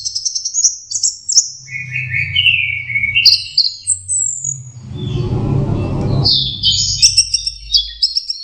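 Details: Young orange-headed thrush learning to sing: high whistled notes and sliding trills, interrupted midway by a burst of broad rustling noise, then more high twittering phrases.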